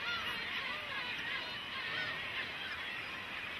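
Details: Begging cormorant young clamouring for food, an unbroken, dense hubbub of high wavering squeals from many birds with no single call dominating.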